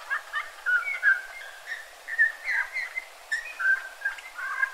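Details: Eurasian bullfinch in a yard in Joroinen, Finland, giving soft, mellow piping whistles: short plaintive notes repeated irregularly about once a second, against a faint background hiss.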